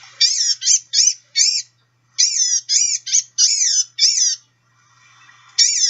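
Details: Blue-gray Gnatcatcher giving short, thin, nasal mewing calls, about ten in quick runs, each a persistent, whining, wheezy note with a slight catbird-like quality, likened to tiny people screaming.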